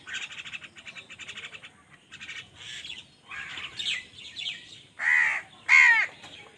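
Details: Crows fighting other wild birds for food, calling angrily: quick high chattering at first, then two loud, rasping, downward-bending caws near the end, each about half a second long.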